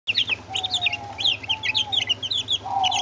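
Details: Brahma chicks together with two Orpington chicks peeping: rapid, high, downward-slurred cheeps overlapping from several birds, over a steady mid-pitched whistling tone and a low electrical hum.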